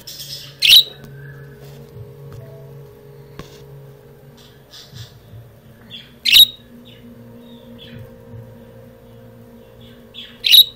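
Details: A female budgerigar chirping in response to her own voice played through speakers, with another budgie also chiming in, gives three sharp, scratchy chirps a few seconds apart over a faint indoor hum.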